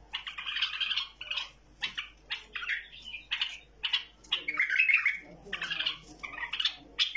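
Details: A tame bulbul gives a run of harsh, chattering phrases broken by brighter whistled notes, in bursts about every half second with no other sounds behind it.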